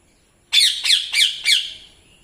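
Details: A young pet Indian ringneck (rose-ringed) parakeet, hopping about, gives four harsh, screechy squawks about a third of a second apart, each dropping sharply in pitch.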